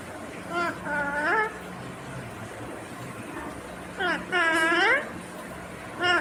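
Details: Green ringneck parrot uttering mimicked words: short nasal speech-like phrases, a longer one near the middle, set against steady background hiss with a faint low drone.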